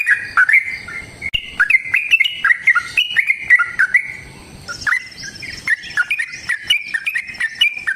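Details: Long fighting song of a Yellow-vented bulbul, kept to make other bulbuls sing: a continuous rapid chatter of bright, slurred chirps rising and dipping, delivered almost without pause, with a brief lull near the middle.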